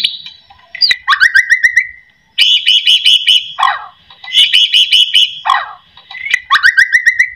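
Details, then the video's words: White-rumped shama singing as a lure for other shamas: whistled notes with a downward slur, then long stretches of rapid, buzzy high trills broken by short falling notes, with a few gaps. "AMPUH buat pancingan murai"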